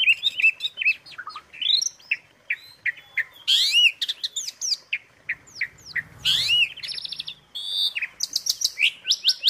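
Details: Clear, lively Asian pied starling song from a long tutor recording: a busy string of rising whistles, harsh squeaky bursts and quick chirps, delivered in uneven bursts with short gaps.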